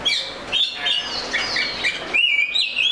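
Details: Brief phrase of Oriental magpie-robin song, fluid warbling whistles wandering up and down, ending in a loud clear rising whistle.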